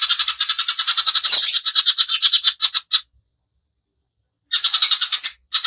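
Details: Greater green leafbird in the coarse 'tembakan' style used as a lure: a harsh, chattering rattle of rapid pulses with one louder rasping note, a pause, then a shorter renewed burst.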